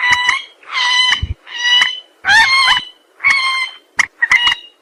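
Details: White-breasted waterhen calling as a trapping lure: long, loud, nasal honking notes, about one a second, with a few short clipped notes between them.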